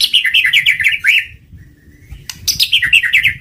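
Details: White-rumped shama lure song: rapid warbled runs of short repeated notes, a brief quiet gap, then another fast rolling phrase, with low rumbling noise beneath.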